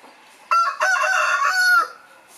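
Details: A domestic rooster gives one full crow, a loud, hoarse cock-a-doodle-doo of about one and a quarter seconds, with a brief break after the opening note and a long drawn-out final note.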